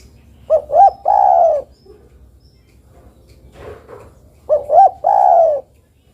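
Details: Calling female spotted dove seeking the male gives the same three-part phrase twice, about four seconds apart. Each phrase is two short coos and a long falling coo, with faint rustling between.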